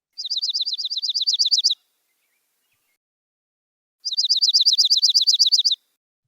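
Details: Dark-eyed junco (Junco hyemalis) song: two ringing, metallic, car-alarm-like trills of about fifteen rapid notes each, held on nearly one high pitch, with a pause between them.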